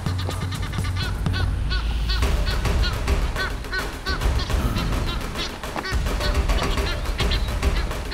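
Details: Egyptian geese in breeding season, by the Luangwa River, give rapid, harsh, repeated honks during territorial fights, several birds calling at once with females joining in, over background music and a low rumble.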